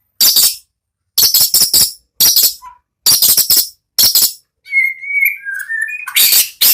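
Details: Captive white-rumped shama from national-champion breeding stock, kept at a bird farm, in full song: bursts of harsh, rattling high chatter separated by short silences, followed by a few clear sliding whistles and another harsh burst.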